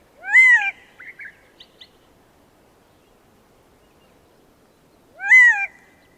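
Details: Gambel's quail (Callipepla gambelii) gives two loud, nasal wailing calls that rise then fall, about five seconds apart, with a few soft clucks and chips between them.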